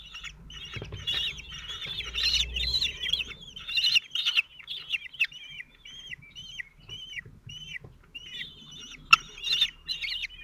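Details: Four 17-day-old common kestrel chicks at a nest in Théding, France, on 27 June 2023, fed by the male, fairly calm with enough food: a dense run of thin, down-slurred squealing calls, overlapping and repeated rapidly, with occasional sharp clicks.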